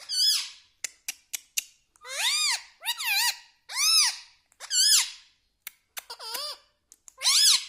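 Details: Pet green ringneck parrot said to talk, repeating 'mitthu'; a series of arched, looping whistled syllables about once every two or three seconds, separated by sharp clicks.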